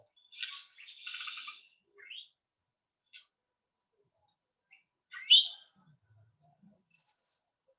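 Eastern Towhee giving thin, very high flight-call notes, mixed with a few lower buzzy chip notes and short pauses between them.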